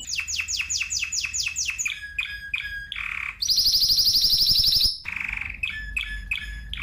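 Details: Spanish timbrado canary song: a run of repeated downward-swept notes, short chirps, a buzzy phrase, then a fast high metallic trill and more chirping notes, with low background hum.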